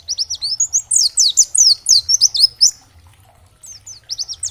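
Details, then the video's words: Oriental white-eye, dakbal type, recorded as a stimulus for other white-eyes to respond: a vigorous two-second burst of high, quick, slurred chirps, a pause, then a few more sharp notes. "Terapi Masteran Pleci agar cepat Bunyi gacor dan nembak materi, pleci gacor"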